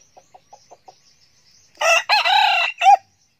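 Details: Young red junglefowl rooster, a decoy bird from 2019 said to crow readily. Five quiet, evenly spaced clucks come first, then a loud, ragged crow of three parts ending on a short, emphatic note.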